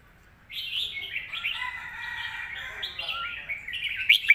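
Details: Caged competition red-whiskered bulbul singing a thick-voiced master song: a continuous run of bright, warbled, slurred notes lasting about four seconds, ending in a few sharp clicks.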